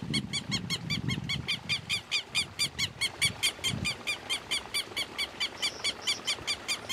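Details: Southern lapwing, known locally as quero-quero, giving a long run of harsh, ringing kek notes at about two to three per second, steady and insistent, with some low rumbling early on.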